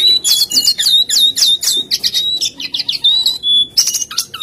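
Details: Brown-chested jungle flycatcher, known locally as jongkangan, pouring out quick looping whistles and chattering trills several times a second, with a short pause before a final buzzy burst.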